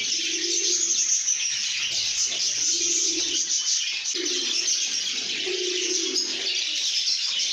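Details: Lovebirds making happy sounds, a constant busy stream of high squeaky chirps, punctuated by four evenly spaced low cooing phrases about every two seconds.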